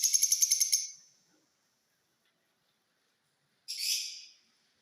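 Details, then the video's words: Purple lutino mutation rose-ringed parakeet: a rapid stuttering burst of about eight harsh pulses, then silence, then one longer grating screech, with nothing else in the background. "Ring neck birds"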